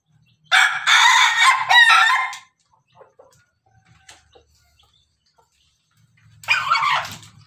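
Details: Ayam ketawa or ayam pelung rooster: a loud, harsh, rasping crow of about two seconds, followed by near silence with faint clicks, then another short loud crow burst.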